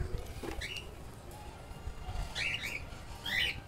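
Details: Young keel-billed toucans about a month old: a few short, grating croaks, a faint one early then two louder paired bursts in the last second and a half, over low room noise.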